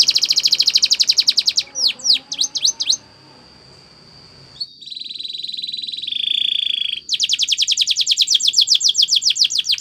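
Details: Spanish Timbrado canary training song: rapid rattling trill, a few falling sweeps, a long steady whistle, a buzzy lower trill, then another fast rattle of repeated notes.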